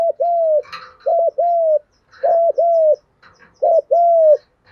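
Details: Male and female spotted doves cooing in the 'gù đấu' contest style to stir caged birds during training. Four repeated low phrases, each a short two-part note and a drawn-out falling coo, about one per second; soft high chirps behind.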